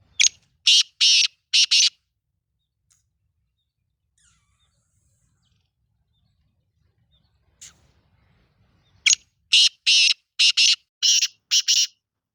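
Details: Black francolin (kala teetar, Sindhi lal potiya type) giving two bursts of loud, harsh grating notes: four quick rasping notes, a long quiet gap with faint rustling, then a run of about eight similar notes.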